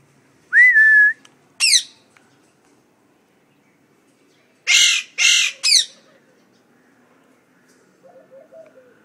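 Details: Parrots living in a home, described as talking: a bright steady whistle, then a sharp downward squawk, and after a pause three rough screeches in quick succession, ending with soft low murmurs.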